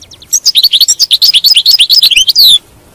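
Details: European goldfinch singing, a recording meant to keep a kept goldfinch in song: a continuous run of quick twittering notes and bright slurred chips, closing with a short harsh buzz.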